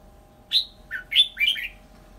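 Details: Captive red-whiskered bulbul used as a decoy bird, nearly through its molt, gives four short bright chirped notes, each sliding and warbling, in a quick burst over about a second, with a faint steady hum behind.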